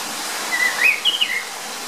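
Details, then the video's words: Orange-headed ground thrush song: a short run of clear whistled notes, slurring up and down, over a steady rushing background like running water. "Orange-headed ground thrush song"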